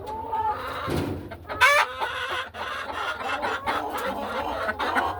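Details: In the hen house on a calm afternoon, laying hens give a mix of drawn-out nasal calls and quick clucks, with one sharp rising squawk near the start and a steady low hum behind.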